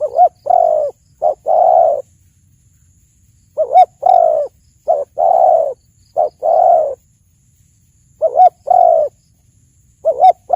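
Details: Spotted dove song, recorded for luring and trapping: repeated phrases of two quick soft notes leading into a longer throaty coo, about four phrases spaced two to three seconds apart, with a clean quiet background.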